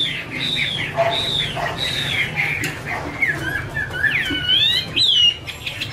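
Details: Female Chinese hwamei 'mái te' singing, male in the background: varied arching whistles, then a lively sequence of rising, wavering, looping notes climbing higher toward the end, with lower murmured notes and steady hum.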